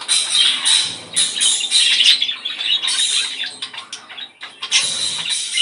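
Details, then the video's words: Budgerigar chorus meant to stimulate breeding: rapid, irregular chirps and buzzy trills packed closely, about three notes a second, with a brief quieter gap before the chatter resumes. "ESTIMULAR CELO !!! CANTO PERIQUITO AUSTRALIANO!!"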